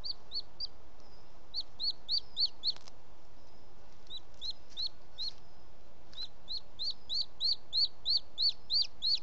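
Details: Booted eagle nest in Els Ports Natural Park, evening of 18 June 2017, the male bringing an unidentified bird as prey: bursts of quick, high, down-slurred whistles, three or four per second, broken by short pauses, with a faint background hiss.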